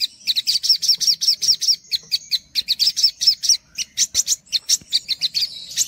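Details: Sogok ontong, the olive-backed sunbird, in a training track for untrained birds: shrill upslurred notes repeated steadily, a short break, then sharper clustered chips and a brief high trill.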